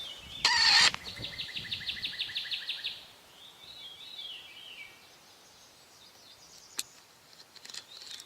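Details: A Great Crested Flycatcher calls fairly close, with a Northern Cardinal also heard nearby: a loud harsh burst, a quick rolling series of about a dozen clipped notes, then a slurred rising-falling whistle, faint background birds following.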